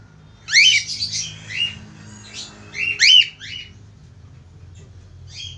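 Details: Loud sweeping squawk-chirps from a budgerigar calling a female, starting with a strong burst, then scattered chatter and a second strong call near 3 seconds, trailing into quiet with a low hum.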